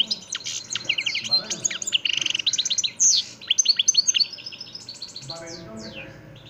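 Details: European goldfinch from the parva de Montijo line in Extremadura, singing continuously: dense bursts of sharp descending chirps and buzzy trills, a rolling run of rapid notes, fading to softer twitters with low background noise.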